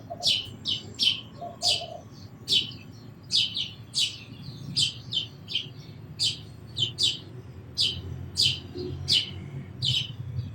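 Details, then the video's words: Sparrow giving short, sharp, high chirps, about seventeen in ten seconds, some in quick pairs, over a quiet low rumble with a faint brief tone early on. "Very Beautiful Birds & Sparrows Sounds"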